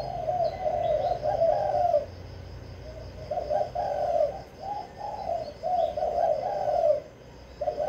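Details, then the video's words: Caged spotted dove, Vĩnh Long, Vietnam, singing the kích bổi song. Three phrases of hoarse, rolling coos separated by pauses of about a second, with soft high chirps of other birds. "Cu gáy kích bổi mau nổi"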